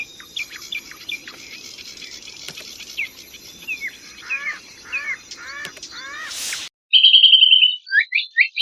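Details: Kecial kombok singing on a training recording for contest songbirds: faint chirps and downward slurred notes over hissy outdoor background, then an abrupt, loud, rapid buzzy trill with sharp high chips near the end.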